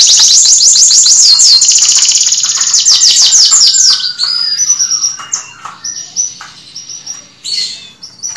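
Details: Canary song for training caged canaries: a loud, rapid high trill with dense repeated notes, gradually breaking into softer scattered chirps and short whistles.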